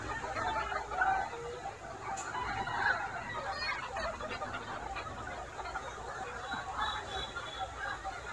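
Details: Mixed flock of Noi, bantam and crossbred chickens roaming a broad garden yard in daytime, feeding on vegetables and insects; dense overlapping murmured clucks and short squawks continue throughout, with constant outdoor hiss.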